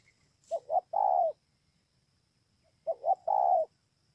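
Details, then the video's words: Two clean song phrases from a spotted dove at Bờ Y in Kon Tum, Vietnam, dated 28 November 2017. Each is a short double note followed by a longer smooth coo, separated by near silence. "CU GÁY"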